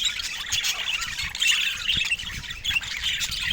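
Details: Budgerigars kept as pets give dense, overlapping chatter: rapid high warbles, chirps and short squawks that blend into a continuous busy twitter with no pauses.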